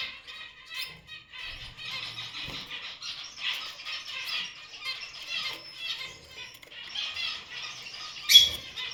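Gouldian finches keep up a steady, high, squeaky chatter of thin notes with no real pause. A sharp tap sounds near the end.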